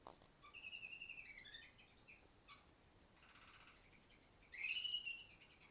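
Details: Chirping song from a female canary sitting on top of the farthest cage: high, sliding whistles that rise and fall, some quick notes, a softer buzzy patch midway, then a loud bright rising whistle near the end.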